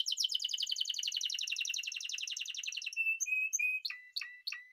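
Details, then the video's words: Spanish timbrado canary: a rapid buzzy trill easing gently lower, followed by short flat whistled notes and a few clipped, sharp chips. "Timbrado تغريد جميل الكناري تيمرادو الإسباني"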